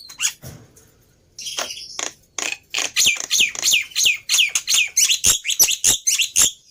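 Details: A lure song for coaxing a silent black-winged myna to sing: after a short quiet start, a steady stream of harsh, rasping chatter notes repeated roughly three per second.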